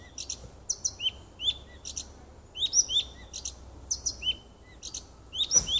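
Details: Nightingale in a small wood near a home, 30 June 2015, pouring out varied phrases: clicking doublets, swooping whistles and short piping notes, densely strung together, ending with a sharp knock.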